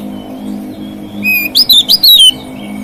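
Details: White-rumped shama song meant to provoke rival shamas: a brief rush of bright whistled notes and quick slurred chips lasting under a second, after a quiet start with a steady low hum.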